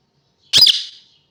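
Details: Parrot giving a single short, harsh squawk lasting about half a second, high and rasping, fading quickly into silence.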